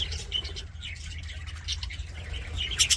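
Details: Happy budgerigar chirping: quick, scratchy twitters and thin whistled notes, rising to a cluster of sharp high chirps at the very end, over a low background hum.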